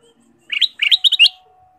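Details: Ruby-throated bulbul singing energetically, a recording used to lure caged birds into song: one short burst of bright, bubbly chirps, then a quick run of four rippling, slightly rising notes, over a faint steady tone.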